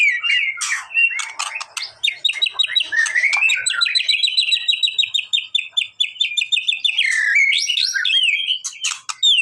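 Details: White-rumped shama song played to provoke a reply. Sharp opening notes lead into a long, rapid, evenly paced series of whistled notes, then looping, upward-swinging whistles near the end.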